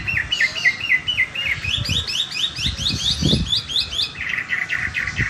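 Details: Chinese hwamei in competition form, singing after a bath: quick series of repeated upward-slurred whistled notes, shifting pitch between phrases, with faint low background knocks.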